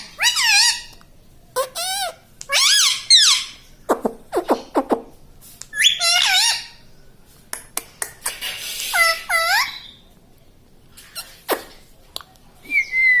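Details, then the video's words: Talking pet parrot that mimics words such as mummy and mitthu: a busy run of loud, harmonic, speech-like syllables and screeches in bursts, some wavering, with brief pauses between phrases. "Tota Tota mitthu mitthu - Bolne wala tota - tota talk - mummy bolne wala mitthu - talking parrot"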